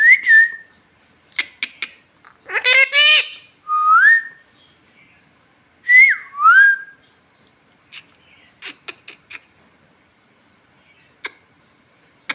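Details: Bhojpuri-speaking talking parrot asking for food: short whistle, scattered clicks, a rising hoarse voiced phrase, then two swooping dip-and-rise whistles, followed by a spray of dry ticks.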